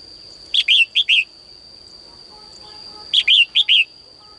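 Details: Caged female bird singing at morning, prompting males to sing more: two bursts of four bright, slightly buzzy chirps about two and a half seconds apart, against a constant high whine and soft background noise.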